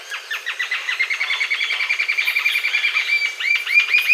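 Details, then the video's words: Green-tailed jacamar delivering a rapid, unbroken series of high, clipped whistled notes, the pace fairly even and the volume swelling toward the end. "Canto Da Ariramba De Cauda Verde, Green-tailed Jacamar"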